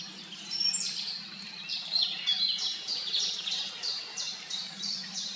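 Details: Eurasian siskins, two birds foraging for small black insects at the edge of a pond on a misty early morning; a series of high, short twittering notes repeated roughly every half second, with a low hum beneath.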